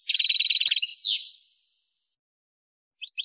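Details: Goldfinch tutoring song for young birds: a fast buzzy trill followed by a downslurred nasal sweep, a second of silence, then the start of a new twittering phrase.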